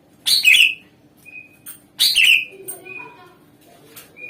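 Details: Energetic greater green leafbird song meant as a lure for other birds: two loud, rasping bursts about two seconds apart, each ending in a sliding whistle, followed by softer thin whistled notes.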